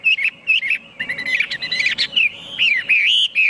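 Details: Chinese hwamei singing a run of loud, clear whistled phrases that slide up and down, with a brief burst of busier warbling in the middle and a faint steady low hum underneath.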